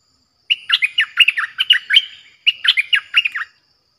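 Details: Two rapid, bubbling chatter phrases with a brief pause between them, from a Streak-eared bulbul's fierce-toned song broadcast as a lure for aggressive wild birds. The background is clean and quiet.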